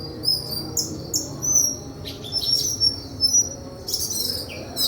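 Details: White-throated flycatcher's high thin whistles mixed with short descending slurs and scratchy twittered bursts in an irregular, lively sequence, with low-level background hum.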